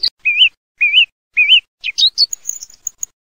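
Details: Song thrush repeating a clear, wavering whistled phrase three times at about half-second intervals, followed by a few sharp notes and a thin, very high twittering flourish; otherwise silent.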